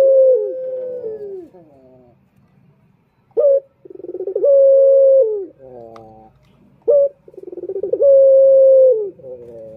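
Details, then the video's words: Male turtle dove (puter) from Indonesia calling to lure other males: a bright note, a stuttering run of pulses, then a long level coo that slurs down at the end, repeated in two bouts over quiet pauses. "Pancingan Puter Jantan"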